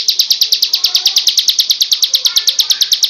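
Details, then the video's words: Master tutor recording of a bar-winged prinia singing ciblek kristal style. A crisp series of high, sharp chirps is repeated evenly and quickly without pause, like rapid glassy ticks. "Masteran super mewah ciblek kristal"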